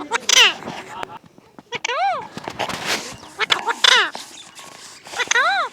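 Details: Talking parrot producing repeated arched, harmonic squawks roughly every second and a half, mixed with harsh broadband bursts and chattering syllables throughout.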